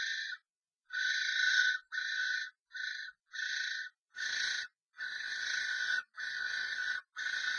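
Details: Common starlings in a violent fight inside a nest box, an intruder having entered the box of two birds; a run of rasping, buzzy screeches, short and long, given in quick succession, with faint scuffling beneath the later ones.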